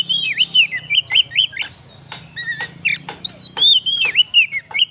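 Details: Oriental magpie-robin song for luring wild birds and stirring up other magpie-robins: rapid whistled notes with dipping slurs, mixed with short harsh clicking notes, over a faint low hum.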